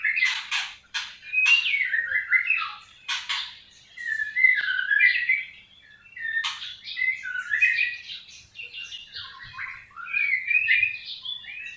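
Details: White-rumped shama delivering a loud, rich song of sharp clicks and fluty whistled phrases that rise and fall, sung in bursts with short pauses, clean background.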